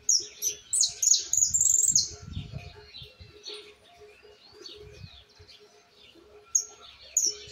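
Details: Young Argentine white goldfinch learning the "misisipi" song, still refining details; loud bursts of shrill, rapid trilled notes in the first two seconds, followed by quieter scratchy twitters and two bright high notes near the end.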